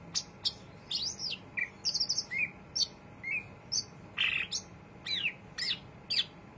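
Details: Cucak ijo, the greater green leafbird, chattering steadily in ngriwik style, giving about one note a second: high clipped chirps, buzzy bursts and brief downslurred whistles, each note different from the last, over a quiet background.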